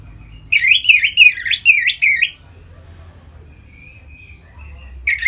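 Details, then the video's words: Ngeplong song of a captive Orange-headed thrush, used to draw birds into breeding condition: a nearly two-second run of looping, rising and falling whistled notes, then a soft thin whistle and quiet hum before singing resumes. "Suara Ngeplong ANIS MERAH Gacor Memancing Burung Agar Birahi dan Lanjut ke Tahap Teler"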